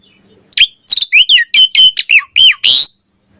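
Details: Morning lure song of an Asian pied starling: a quick burst of loud whistled and scratchy notes, rising and falling, about eight in under three seconds.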